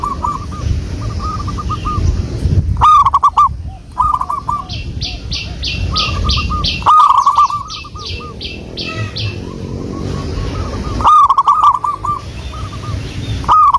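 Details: Local wild zebra dove song used as a lure: repeated mid-pitched, trilling, wavering coos in short phrases, with loud rapid clicking pulses and other bird chirps between phrases.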